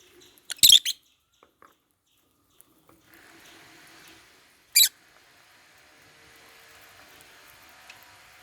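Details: African lovebirds eating holy basil in their cage: a loud, harsh double chirp, silence, then another strident chirp four seconds later.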